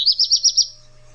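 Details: Black Redstart song phrase, a quick chatter sung from a perch such as a roof. Five rapid, high, clipped notes come in under a second, then fade out.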